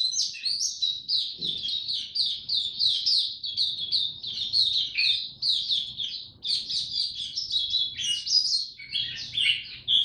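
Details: Captive mata puteh, the Oriental white-eye, in buka tiong song while building form: dense, rapid high-pitched twittering that pours out almost nonstop, with a short thin-note flourish near the end.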